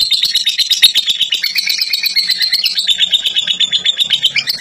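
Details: Fighter lovebird in long ngekek, shrill chattering notes pulsing quickly at roughly three per second and sliding slightly downward toward the end.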